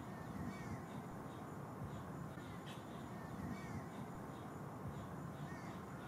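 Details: Green heron chicks, three in a nest at Lake Hollingsworth in Lakeland, Florida, competing for fresh food from parents; thin, arched squealing notes repeat every second or two against constant low-pitched background noise.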